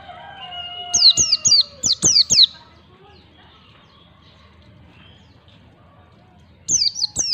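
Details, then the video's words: Training song of a white-eye, ngalas style, for teaching young birds to sing: long plain whistles beneath a run of about six quick, high, down-slurred chirps with sharp clicks, then a quiet gap and three more chirps. "pancingan pleci belajar ngalas 1 2 3 ketukan"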